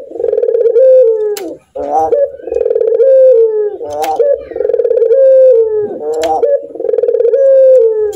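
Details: Captive puter dove that laughs often: long, low, rolling coos with bursts of rapid, chuckling laughter between them, recorded indoors at close range.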